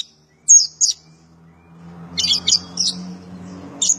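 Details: Oriental white-eye of the dakun type, a master song for training kept birds: scattered high chirps, two early and a short cluster later, over a faint low hum.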